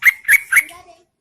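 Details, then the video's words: Lure call of a female yellow-vented bulbul enticing males in the rainy season: three quick bright, slurred notes in a rapid burst, fading into faint soft whistles. "PANCINGAN TRUCUKAN GACOR SAAT MUSIM HUJAN"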